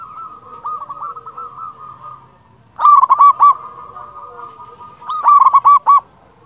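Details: Big-voiced local Zebra dove, used to spur other doves into song, gives two loud bursts of rapid rolling coos about two seconds apart over a steady hum of softer cooing.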